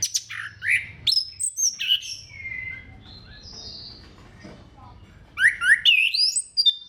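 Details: Orange-headed thrush song intended to stimulate other thrushes to sing: quick sharp chirps and slurred whistles, a long drawn whistle, a quiet spell, then rapid rising twitters.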